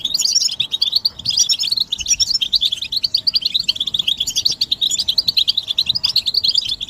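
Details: Collective goldfinch twittering used to spur males out of silence: an unbroken stream of quick, liquid, high chirps and buzzy trills, with a faint steady low hum underneath.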